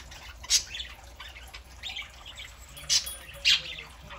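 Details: Several pet parakeets, including a three-month-old young bird, on a Saturday morning: brief bright chirps and harsh squawks come in loose bursts, with three loud sharp notes punctuating quieter twittering.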